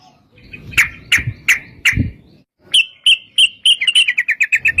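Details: Sooty-headed bulbul in long rolling 'ropel' song used as a lure to prompt others to sing; a few spaced chirped notes over low rumbling, then a fast run of clear whistled notes that speeds up toward the end.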